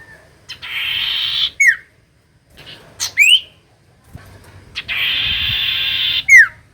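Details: Common iora song used as a lure to make reluctant birds sing: a few sharp whistled notes, one falling and one rising, broken by long bursts of steady hiss.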